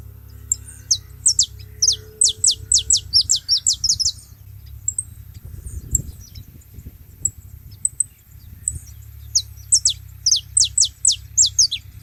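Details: Saffron finches gathered together at a feeding spot; bursts of sharp, steeply falling high chirps come in quick runs, pausing mid-way before another run, over a steady low hum.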